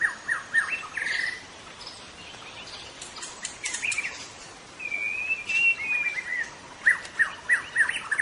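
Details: White-rumped shama in full, lively song: varied whistled phrases, quick downward slurs, a long sustained wavering whistle midway and rapid chip notes toward the close, with faint outdoor background noise.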